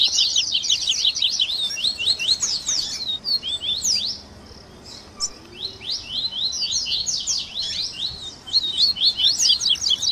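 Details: Mixed-style Double-collared seedeater song, tui tui, grego, viviti and flauteado, for training caged birds: hurried high chirping phrases, a near-silent pause around the middle, then renewed quick slurred notes.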